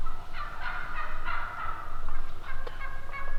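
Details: A handful of wild turkey calls, clear notes spaced about a third of a second apart, then softer notes and a brief click.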